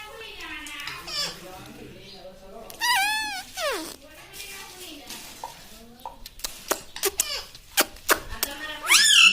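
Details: Pet parrot said to be talking, with words such as mummy, papa and mitthu; low murmuring voice-like sounds, a drawn-out shrill wavering squeal, sharp clicks, and a final harsh squawk, in a small room.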